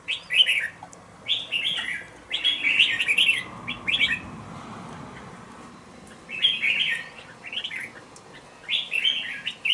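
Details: A two-month-old red-whiskered bulbul, caged in a bổi cage, delivers clusters of quick warbled notes. A quieter stretch of about two seconds separates two lively bursts of song.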